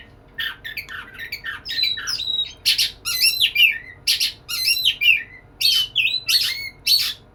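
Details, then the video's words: White-rumped shama singing lively to court a female, delivering separated bursts of harsh chattering notes mixed with clear downslurred whistles, high-pitched, roughly one burst every second. "Burung Kacer gacor merayu betina"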